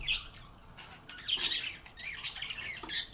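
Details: Happy pet budgerigars chirping and talking with one another, giving rapid high warbled notes and scratchy squawks that rise and fall in overlapping bursts.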